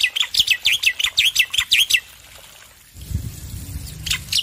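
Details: Male black-winged myna, loud and in full song, used as a training recording to coax stressed birds to sing: about two seconds of rapid, harsh chirped notes repeated roughly six per second, then a pause with low background rumble.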